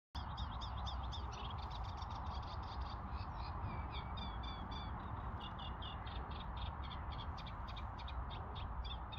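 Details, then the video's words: Reed warbler singing in spring at Crossness Southern Marsh, London, 12 April 2021: a steady run of chattering, repeated scratchy notes over a constant low rumbling background noise. "Reed Warbler"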